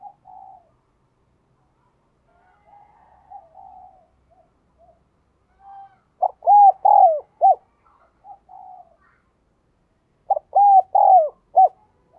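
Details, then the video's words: Spotted dove kept as a lure bird, cooing and calling: soft low murmuring coos at first, then two loud phrases of hollow arched coos, short and long notes ending abruptly, about four seconds apart. "tiếng cu gáy - Chim Cu Mồi Thúc Gù Và Gáy Gọi"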